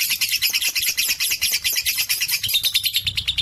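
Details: High, dense, rapid chatter from a 3.5-month-old lovebird, bold beside adults and suited as tutor material for other birds, pulsing about three times per second without pause.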